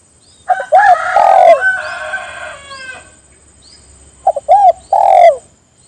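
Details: Spotted dove calling others to join, its first coo phrase overlapped by a rooster's loud crow, followed by a clear dove phrase of short notes, an arched coo and a long falling coo.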